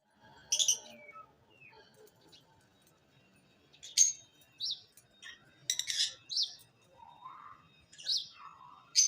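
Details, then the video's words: Lovebirds give sharp, high, squeaky chirps in short bursts, a few every second or two, with softer chatter and some faint lower notes between. "Love Birds chirping & singing sound"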